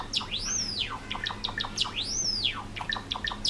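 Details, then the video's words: Pet Java sparrows, four-year-old males kept indoors, singing a courtship song to a white female: rapid dry clicks and short notes, then a long whistled note rising and falling in an arch, the phrase repeating twice. "想いを乗せたさえずり 桜文鳥＆ごま塩文鳥"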